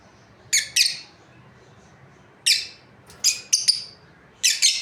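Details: Lovebirds, a breeding pair, chirping in quick harsh pairs and triplets, bright rasping notes separated by short pauses.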